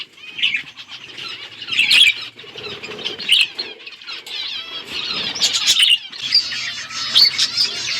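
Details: Budgerigars eating seeds chatter with a steady stream of high, scratchy chirps and warbling notes.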